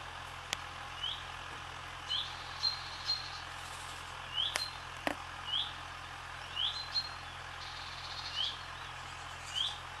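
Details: Barn swallows skimming the sky above a swallow farm: short, high, upward-sweeping chirps, singly or in quick pairs, spaced one to two seconds apart, with a few sharp clicks and a steady low hum underneath.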